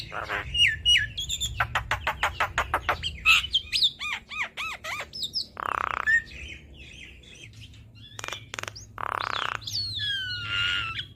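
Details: Javan myna in energetic song for cage-bird training: a rapid burst of dry clicking notes, looping whistles, two harsh buzzy squawks, and bright gliding whistles near the end, with faint background hum.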